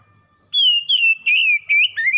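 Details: Pet oriental magpie-robin in gacor singing, used as a lure to get a silent kept bird singing: a string of four loud, clear whistled notes, each sliding gently downward, after half a second of quiet.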